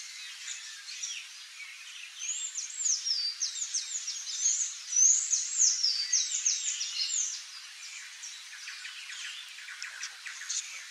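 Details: Palm tanager (Thraupis palmarum) singing: a fast run of high, squeaky, down-slurred notes in the middle seconds, bracketed by softer chirps and a faint, steady background of high buzzing.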